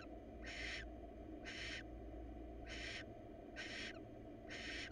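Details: Wild female barn owl inviting a male to mate ahead of breeding in hot weather; five long, harsh hissing screeches, each about a quarter second, spaced near one per second.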